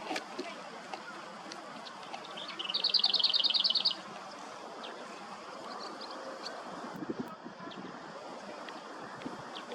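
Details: Female European greenfinch (Carduelis chloris) in spring nesting season, Hrodna city, western Belarus, 1 May 2022, gives one fast, high trill of about a dozen rapid notes lasting just over a second over steady outdoor background noise while persistently gathering nesting material.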